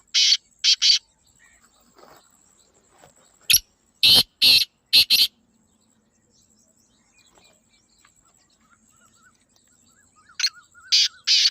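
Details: Black francolin repeating its call three times. Each phrase is a cluster of three or four harsh, rasping notes, with long quiet gaps between phrases.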